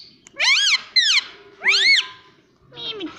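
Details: Pet parrot talking indoors, uttering three loud voice-like syllables with arched, rising-then-falling tones, then a softer falling note after a short pause.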